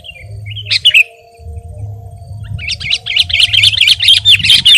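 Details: Sooty-headed bulbul, the kutilang, in tutor and lure song: a short twittering phrase, a brief pause, then a fast bubbling run of high, wavering notes over a steady low hum.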